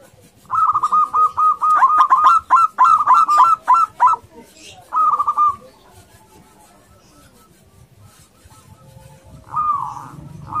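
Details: Aggressive local male zebra dove courting a female, giving a loud, stuttering run of mid-pitched rolling coos in quick succession, then a shorter burst after a pause and a faint final phrase, over low background rumble.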